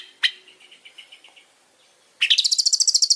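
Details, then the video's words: Long-tailed shrike: a sharp note and a soft fading run of low trilled notes, then a loud, fast, rising chattering trill climbing to very high pitch. "Suara burung pentet super gacor"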